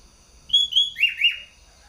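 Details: Caged sooty-headed bulbul, a new champion competition bird from Bogor, Indonesia, in full song: two clear flat whistles followed by two quick, downward-slurred whistled notes, bright and ringing, in one short phrase over a quiet background.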